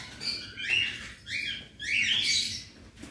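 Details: Cockatiels in a colony aviary of about 100 birds, recorded during daily cage cleaning: three loud, rising chirps in quick succession, each sweeping upward and overlapping, with faint background rustle.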